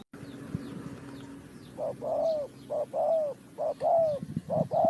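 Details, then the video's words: Spotted dove calling in a bird-trapping setting, tied to Ninh Thuận: low cooing phrases, each a short coo followed by a longer slurred, falling note, given about once a second over a faint hum and soft background noise. "The Sound Of the dove,The Sound Of Cuckoo Bird,เสียงนกเขาใหญ่"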